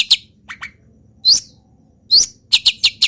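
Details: Long-tailed shrike of local stock, molting yet singing hard, imitating wild birds: scattered high chips, two sharp rising whistled notes, then a fast burst of four quick high chirps.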